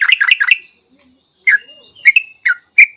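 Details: ['Yellow-vented Bulbul, Thailand: three fast throaty chirps, then scattered sharp notes with a thin drawn-out whistle between them.']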